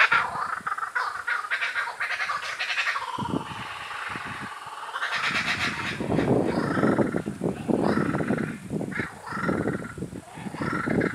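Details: A young laughing kookaburra (Dacelo novaeguineae), after listening to other kookaburras calling, calls back with rough cackling bursts of hoots and chuckles; its parent joins in with fuller adult laughter, over a low background rumble.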